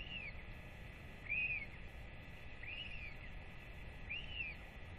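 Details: Northern royal albatross chick fed by both parents after rangers weighed it, 8 October 2024; four clear arched whistled calls about every 1.4 seconds above a steady wind hiss.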